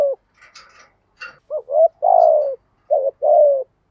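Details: Lure spotted dove in the 'giọng thổ' voice giving 'thúc gù' urging coos: after brief faint chirps from another bird, two low, rough phrases, each a hooked note then an extended descending coo.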